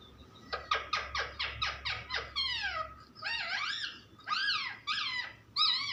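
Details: Pet parrot indoors making a run of rapid, evenly spaced squeaky notes, then longer wavering, slurred, voice-like syllables in several short bursts.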